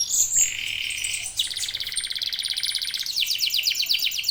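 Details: Local canaries in vigorous song: piercing held whistles, a flat buzzy tone, then a rapid rolling trill that breaks into quick falling notes, all very high-pitched.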